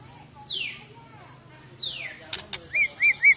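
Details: White-rumped shama giving an agitated, fighting song used to provoke other birds: two clear whistled sweeps sliding downward, a pair of sharp clicks, then three quick arched notes in close rhythm over a low steady hum.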